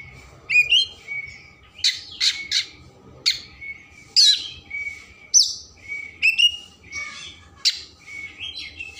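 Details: Oriental magpie-robin in full song, meant to stimulate emotion and tail opening: varied loud whistles, sharp rising notes and buzzy bursts alternating with a steady lower tone, about a dozen phrases over nine seconds.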